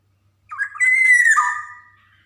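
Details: Javan black-naped oriole (golden oriole), a lively singer, used as a training recording to stimulate young birds to sing: a fluty, slurred whistled phrase, rising then falling with a lower ending note, indoors, no other sounds.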